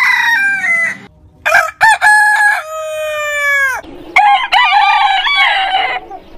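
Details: Heritage-breed rooster crows: choppy opening syllables then a long falling held note, followed by another rooster's wavering, warbling crow, all close and loud.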